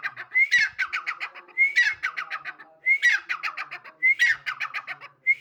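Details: Female grey francolin calling: each phrase opens with a bright rising whistle, then a quick run of clipped, rhythmic pulsed notes. The pattern repeats about every 1.2 seconds, loud and clean with no other sounds.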